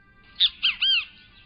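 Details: Great kiskadee (Pitangus sulphuratus) in South Texas giving its loud, bright name-saying call, kis-ka-dee: a short sharp first note, a quick second note and a longer slurred final note.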